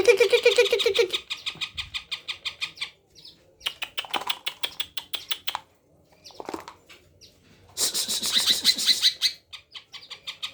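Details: Greater green leafbird, tame and singing as soon as someone comes near, its isian-filled song mixing fast ticking chirp series, lower warbled notes, short pauses and a harsh high buzzy burst.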